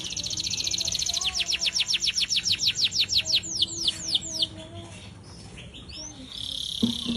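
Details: Atlantic canary singing uncaged, kept as a master song for training other birds: a fast series of bright descending whistled notes, about three a second, followed by a quieter buzzy trill and soft chatter.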